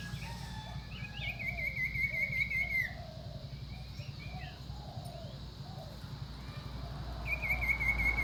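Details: Common iora giving a long, even trilled whistle that ends in a falling slur, repeated near the end. Lower chirping from other birds and a constant low hum run beneath.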